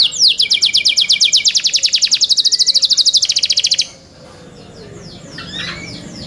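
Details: Young canaries in song: a fast trill of bright high notes repeated about eight per second for nearly four seconds, a brief lower buzzy note beneath, then quieter scattered chirps.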